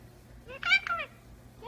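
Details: Pet Indian ringneck parakeet talking and whistling, with an umbrella cockatoo in the background: a short rising note, then a loud burst of two quick harmonic, speech-like syllables, and a fresh rising note at the end.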